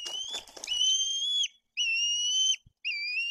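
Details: White-tailed eagles at a nest in Tuchola Forest, Poland, during chick feeding with fish and an older chick's aggression: long, steady, high whistled notes with harmonics, three drawn-out calls separated by short pauses, some soft chatter at the start.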